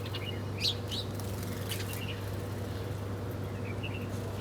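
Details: Feeding birds eating their breakfast give scattered high chirps, a louder pair near the start and a soft pair at the end, against a steady low hum with light tapping.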